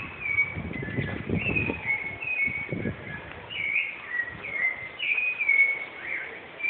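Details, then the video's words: Song of a Rufous-bellied thrush, Osasco, São Paulo, Brazil, 14 November 2014: continuous caroling of varied whistled phrases, rising and falling slurs repeated about every half second, with low thumping knocks early on and city background noise. "Canto do Sabia Laranjera"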